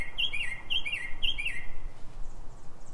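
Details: Mockingbird in Silver Spring, Maryland, singing at 3:44 a.m. before dawn: a quick twittering phrase of falling notes repeated three times about half a second apart, then quiet background hum.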